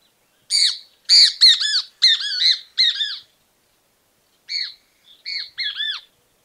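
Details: Great Kiskadee in Argentina gives loud, harsh, strident calls in quick groups of two or three downslurred notes, a pause, then another shorter squawking phrase.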